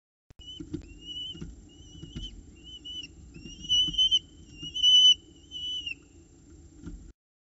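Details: Nest-box peregrine falcon chicks at Orange, 29 October 2018, during the first morning feed after prey arrives. Wavering, whistled, high notes repeat in a series, some long and slightly falling, over soft scratching and tapping in the box.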